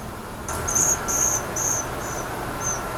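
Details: Western Flycatcher nestlings, wild family in the Pacific Northwest, day 11 after hatching: a short run of thin, high, hissy begging notes that fade toward the end.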